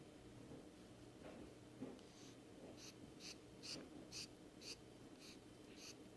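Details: Pet rainbow lorikeet indoors, sitting in its owner's palm while being petted, giving a soft, breathy, hissing purr-snore in short rhythmic bursts about twice a second, quiet against faint room hum.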